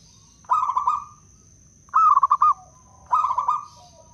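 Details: Blora local wild-type zebra dove with a crystal-clear voice, used as a luring and prompting bird. Three pulsed coo phrases, the middle one louder and sharply beaded, with soft low notes between. A steady high hum runs behind.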